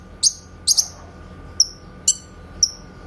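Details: Grey-cheeked bulbul in a clear master recording for training songbirds, with 'tembakan' (shot) notes: a few sharp, high, downward-flicking notes spaced about half a second apart over a faint steady background hum.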